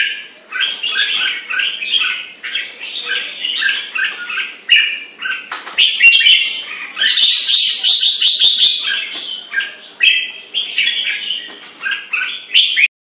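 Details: Red-whiskered bulbul kept in Singapore and trained for song pours out continuous bubbling whistled phrases, several birds possibly overlapping, with a dense burst midway; sharp clicking noises throughout.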